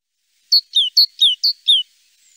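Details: Song of a great tit (Parus major): six crisp high notes in alternating pairs, a steady note and then a downward-sliding one, delivered at an even, quick pace.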